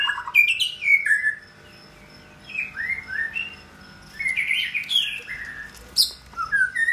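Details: Male white-rumped shama in his second year, kept caged and soon to molt, delivering loud varied whistles, falling slurs and sharp high notes in several phrases separated by brief silences.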